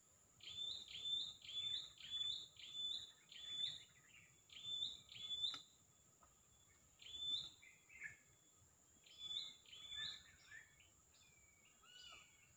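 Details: White-rumped shama (murai batu) singing: short high chirping phrases repeated in a steady rhythm about twice a second, with brief pauses between bursts and a constant faint high electrical whine behind.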